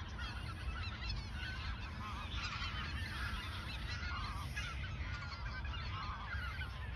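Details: Geese gathered at the Ochsenmoor nature reserve in autumn 2022, a few days before flying south; seven seconds of unbroken honking from a large flock, single clearer calls rising above the mass now and then.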